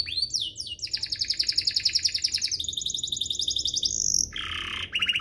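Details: Domestic canary song used as a master for young canaries and to spur canaries into singing: high trills of rapid repeated notes, a long steady rattle, then a lower buzzy trill and short bursts near the end.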